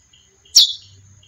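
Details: Single loud, clipped chip from a female chestnut-bellied seed finch, sliding sharply downward, set against a continuous thin whine and a low soft buzz.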